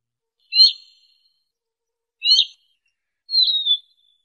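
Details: Siberian rubythroat singing, a bird used for trapping: three short high whistled phrases, the first two sharp and falling with a warbled edge, the last a drawn-out thin whistle, separated by clear pauses.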